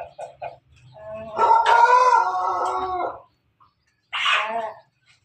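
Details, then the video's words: Pelung rooster crowing: a long, sustained, harmonic-rich crow of nearly two seconds that holds steady in pitch, followed after a short pause by a shorter second burst, with a low background hum and a few faint clucks beforehand. "su pelung jago suara ayam jago ketawa"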